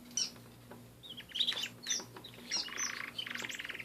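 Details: Canary singing: scattered sharp high chirps, then a fast, even, buzzy trill of rapidly repeated notes that runs through the last second and a half.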